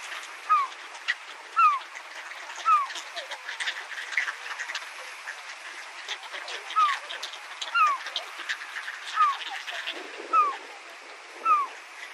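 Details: Herring gull in Saitama, Japan, giving short, nasal, downward-slurred calls, about nine in twelve seconds at uneven gaps of roughly one second. A dense background of clicks, hiss and other faint chatter runs throughout.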